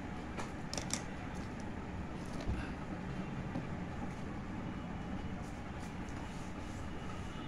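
A steady low mechanical hum like a fan or engine fills the recording, with a few faint clicks and no animal voice.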